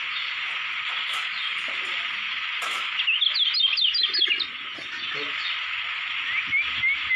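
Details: Lombok white-eye (kecial kuning) from Lombok, Indonesia, a caged bird groomed for song contests: a fast run of high, clipped chirps after three seconds, then a thin rising whistle at the end, over a steady hiss.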